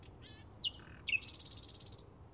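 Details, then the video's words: Bluethroat in May 2016: a few varied high chirps and thin whistles, then a rapid buzzy rattle of about fifteen metallic pulses lasting nearly a second, over faint low background rumble. "Ruiseñor Pechiazul - Bluethroat"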